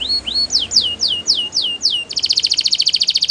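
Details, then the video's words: Belgian canary song for training: a few rising then falling whistled slides, followed by several quick downward-swept notes, ending in a rapid, rattling high trill. "Beautiful Singing From The Belgian Canary!!"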